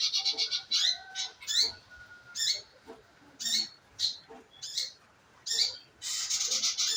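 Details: Scarlet minivet, played as a lure to coax the bird into song. Fast high trills open and close the passage, with single bright, slightly falling notes spaced about a second apart between them.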